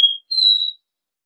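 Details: Caboclinho (copper seedeater) giving the end of its Dó Ré Mi song: a short pure whistled note, a brief gap, then a longer, slightly higher steady whistle; recorded as training audio for teaching young birds. No other sounds.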